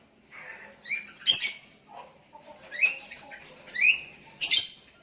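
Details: Sooty-headed bulbul calling out to a rival decoy, other bulbuls answering; crisp chirped notes in short clusters mixed with sharp clicks, spaced roughly a second apart.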